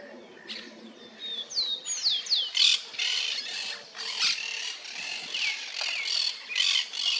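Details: Yellow-billed cardinals reacting to a car mirror give a rapid run of sharp, high, downslurred chirps and squeaky notes, mixed with brief scratchy bursts, over a faint low background hum.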